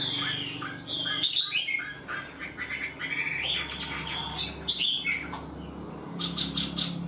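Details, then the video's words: Untamed Chinese hwamei in a cage giving its full song: sharp slurred whistles and rapid chattering notes broken by clicks and harsh broadband bursts, with a faint low hum behind. "Họa mi mộc mau mỏ hót bài bản như chim thuần"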